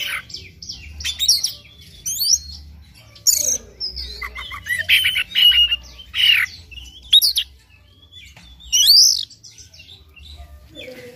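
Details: Oriental magpie-robin in full morning song, played as a lure to make another bird sing its complete repertoire; long varied run of whistles, scratchy trills and harsh chatters in irregular bursts, pausing briefly mid-way.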